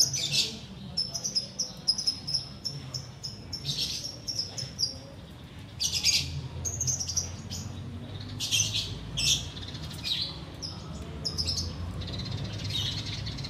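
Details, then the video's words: Sooty-headed bulbul kept in a cage, singing while the fast awaits breaking during Ramadan; clusters of high, clear whistles and chirpy bursts come in irregular phrases over a steady low rumble. "Menikmati Ngekek Biang Kerok"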